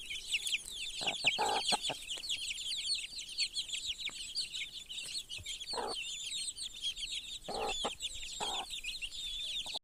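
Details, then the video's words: Broody hen with her chicks: a dense continuous chorus of high peeping from the chicks, with several short low clucks from the hen scattered through. "Квочка с цыплятами"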